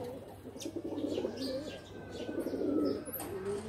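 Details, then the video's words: Loft pigeons give a dense murmur of low coos and burbling notes, rising and falling in loudness across the few seconds, with faint higher calls behind. "Pigeon are playing in loft"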